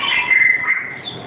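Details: A male black-capped lory kept as a pet parrot, calling to be let out; a single loud, shrill, high squeal held for about a second, slightly falling, then a fainter high note trailing off.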